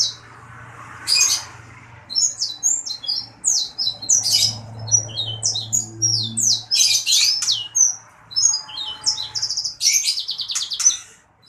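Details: Lively song of a sanger bird: a dense, rapid string of high chirps, trills and scratchy notes, with buzzy rattling phrases near the end and a faint low hum in the background.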